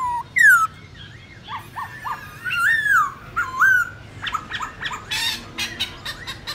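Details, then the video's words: Black-throated laughingthrush wild-style training song: scattered short whistles and a few longer curved notes, followed by a burst of harsh, scratchy chatter. "Luyện khướu bạc má hót giọng rừng/Luyện khướu non học giọng rừng cực chuẩn"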